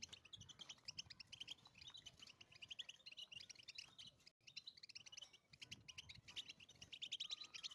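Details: European goldfinch in the wild, battbata twitter: fast high jingling chatter with buzzy slurs, a brief break near the middle, then a thin sustained whistle at the close, over soft low rumble.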